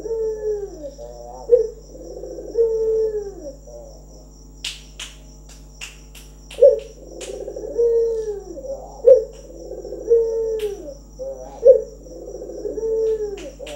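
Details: Trained local Barbary dove cooing steadily: a short rolled opening note, then a long, low, drawn-out coo that dips at the end. The phrase repeats about every two and a half seconds, with sharp clicking in the middle section.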